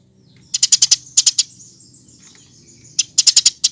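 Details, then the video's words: Eurasian tree sparrow in gacor form, used for masteran training: a quick group of about five bright high chirps, a few more, a pause with faint thin notes, then another fast group. "Kompilasi Masteran Burung Gereja Gacor"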